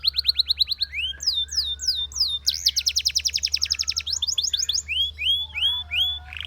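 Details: Belgian canary song in varied high phrases: short falling whistles, a fast dense trill, repeated downward sweeps, and upward-curving notes, with a steady low hum underneath.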